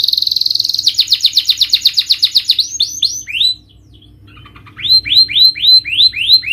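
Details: Canary singing to encourage a silent, stressed bird: a steady high trill, then rapid falling chirps, a short pause with soft notes, and a series of rising upswept whistles.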